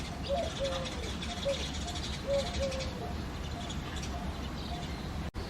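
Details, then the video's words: Eurasian collared dove cooing on a foggy February early morning, a series of soft, low, hollow coos in quick succession, partly masked by constant deep background rumble and a faint hiss. "Coo Dove - Dove Singing in the Foggy Morning"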